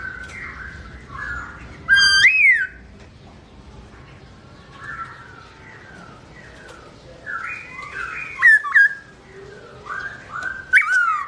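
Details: Black-throated laughingthrush (Garrulax chinensis) singing melodiously while its owner is away: soft warbled phrases broken by loud, sharply slurred whistles near the start, middle and end.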